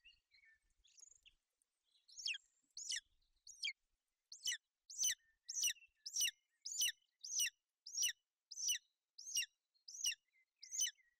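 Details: Golden eagle nest in Bucovina, 28 May 2021: a female shelters her chick from rain and cold. Faint, uneven chirps at first build into a regular run of loud, high, dropping notes, about one every 0.6 seconds.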